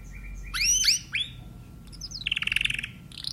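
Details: Timbrado canary giving a brief burst of upswept chirping notes, a pause, then a short, fast, pulsing trill before cutting off, over faint background hiss.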